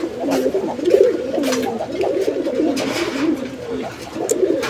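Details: A pair of Bombay pigeons, domestic pigeons kept indoors at a farm in Bangladesh, calling in a voice described as lovely in person. Low warbling rolling coos run throughout, with men's voices talking nearby.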